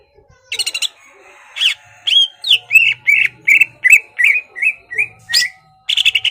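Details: Caged greater green leafbird singing to goad a rival into fighting: after a few buzzy notes comes a steady series of about ten slurred, whistled notes, roughly three per second, closing with a rapid chirping burst.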